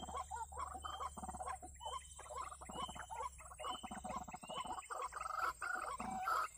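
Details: Ruak-ruak, or white-breasted waterhen, calling as a trapping lure: rough, rapid, rattling pulses repeated in bursts, joined by short thin whistled notes, over a constant humming tone.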